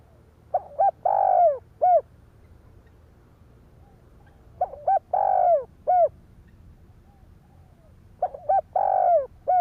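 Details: Cooing of a spotted dove meant to stimulate other doves: each phrase has clipped short notes, a long full coo and a separate falling final note, repeated about every four seconds.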